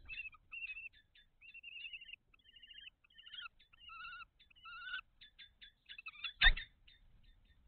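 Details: Common kestrels at a nest box on 17 May 2023 during a food transfer of mice between the pair: a long series of thin, wavering whining calls, some trilled, some sliding downward, ending with a loud knock or thump.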